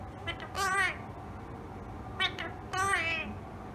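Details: Tame rose-ringed parakeet speaking in a room, giving two bursts of nasal, word-like harmonic phrases separated by a pause of over a second, over a faint constant hum.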